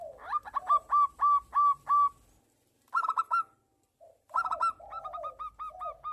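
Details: Local zebra dove (perkutut), described as a calling male answering a female and in breeding condition, gives quick runs of soft, ringing coos, five or six notes at a steady pace, pausing between bursts.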